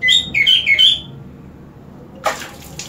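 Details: A green leafbird, sprayed with water and singing all the more for it, gives about a second of quick, varied, high warbling phrases, then falls silent before a brief hiss of spraying water.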